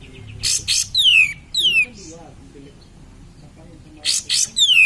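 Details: Cream-vented bulbul singing energetically, played to stimulate other cream-vented bulbuls: harsh raspy bursts alternate with loud falling whistles, in two bouts separated by a quiet pause.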